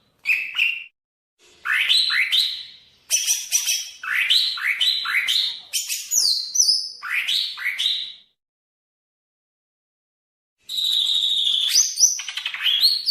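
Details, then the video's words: Greater green leafbird, Banyuwangi type from East Java, variation 1 song: series of rapid upslurred whistles, several in a row, with high descending slurs, a quiet gap, then a dense buzzy twitter. "Suara Burung Cucak Ijo Banyuwangi variasi 1"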